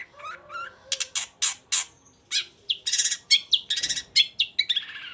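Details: Long-tailed shrike in full, lively song, used to provoke quiet birds into singing back: low nasal warbles open into loud harsh rasping bursts and quick high chirps, delivered in a fast irregular stream.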